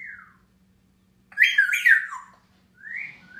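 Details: On a June 2016 morning a grey parrot perched on its cage gives a falling whistle, a loud raspy squawk-like burst, then a rising whistle, in a quiet indoor setting.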